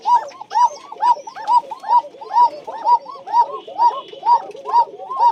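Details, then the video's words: Tiger Bashiraj pigeons from a loft in Bagmara, Rajshahi, Bangladesh give deep, rounded coos. One clear coo repeats about twice a second in a steady rhythm, with softer overlapping coos from other birds beneath it. "টাইগার বাশিরাজ কোকা"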